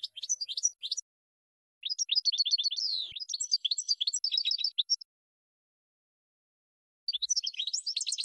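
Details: European goldfinch song from a training recording for birds to learn song: fast, chattering, twittered phrases mixing rapid repeated chirps and buzzy slurs. The phrases last about one to three seconds, with a longer silence before the final burst.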